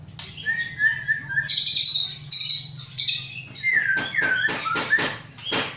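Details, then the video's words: White-rumped shama from Aceh bloodlines, a captive bird hatched in August 2012 and kept for breeding, gives short whistles, then dense buzzy high bursts, then falling slurred whistles mixed with sharp clicks over a constant low hum. "Murai batu aceh"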